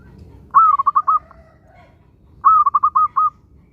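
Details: Vigorous song of a local zebra dove, played to coax other zebra doves into singing: two separate phrases, each a quick burst of about six soft, rolling coos that start with a slightly higher note, with a quiet pause between them.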